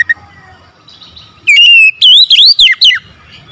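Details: Oriental magpie-robin singing at morning: a loud held whistle, then a quick run of swooping notes that rise and fall steeply, ending abruptly in quiet.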